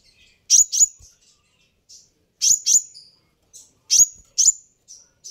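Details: Double chips, sharp and very high, recurring about every one and a half seconds with softer single notes between; a sunbird call meant to make sunbirds answer.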